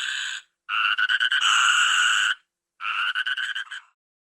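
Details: Repeated rough, buzzy croaks from a toucan: a brief opening note, then a long rattling call of nearly two seconds, then a shorter pulsing burst, with clean silence between them.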